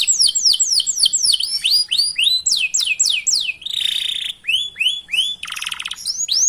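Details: Canary song for stimulating other canaries: a quick sequence of slurred, downward-curving whistles repeated several times a second, then a steady buzzy note, a dry rattling burst and more sweeping whistles.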